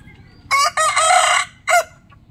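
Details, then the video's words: Morning rooster crow, loud and close: a harsh, raspy cock-a-doodle-doo in a short first note and a long drawn-out phrase, then a separate brief crowed syllable, over a quiet background. "rooster funny sound"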